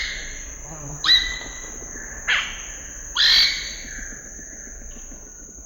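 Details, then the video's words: Scarlet-rumped cacique giving three loud, whistled calls that sweep steeply upward, about a second apart, over a steady high insect drone. "The sound of a scarlet-rumped cacique"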